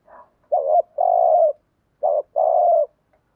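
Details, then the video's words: Spotted dove coo used as a lure for wild doves: two phrases, each a brief rising-falling note followed by a longer, even, hollow coo, after a faint soft murmur at the start. "Tiếng Cu Gáy Giọng Hạp BổI ĐỦ BÀI ( GÁY GỌI,THÚC,GÙ )"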